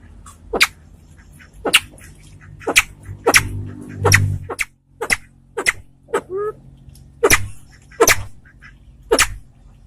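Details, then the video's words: Salvadori's pheasant of the white-tailed form from Aceh gives sharp, abrupt, clicking notes about once a second. One softer, rising and falling tonal note breaks the series, over a low background hum. "SUARA SEMPIDAN BIRU"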